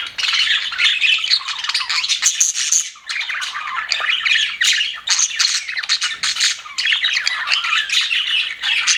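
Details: Budgerigars in an aviary, described as happy birds, chattering together: a dense, nonstop flurry of scratchy squawks, chirps and warbles, with brief lulls between bursts.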